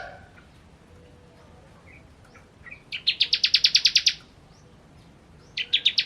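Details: Bar-winged prinia (ciblek) singing kristal style: after quiet soft chips, a single fast burst of sharp high repeated notes lasting about a second, and a short new burst at the end.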